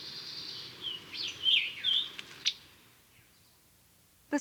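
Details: Scarlet tanager, possibly a female's soft, musical call that may serve as a contact call near the nest: a run of high, slurred whistled notes lasting about two seconds, then quiet, with a faint click.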